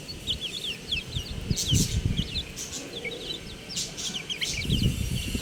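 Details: Baby chickens, buff chicks, give many short high peeps that slide downward, some in quick pairs, scattered irregularly throughout, with low rustling and thumping underneath.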